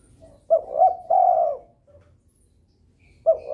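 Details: A spotted dove in breeding condition calling often to provoke rivals, giving a low cooing phrase: a short coo, a longer rolling one, a soft fading note, then a new phrase beginning.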